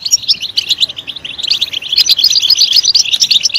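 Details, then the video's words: European goldfinch in loud song after stimulation: quick, irregular chirps and trilled twitters, building in density and brightness through the second half. "Stimulating a goldfinch clip to make it chirp in a loud and wonderful voice"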